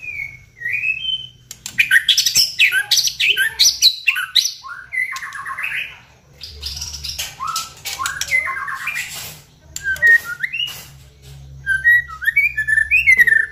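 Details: White-rumped shama singing loudly, used as a lure to make other shamas sing: bright whistled phrases, rapid chattery warbles and quick upward-sweeping notes, delivered in energetic bursts with short pauses.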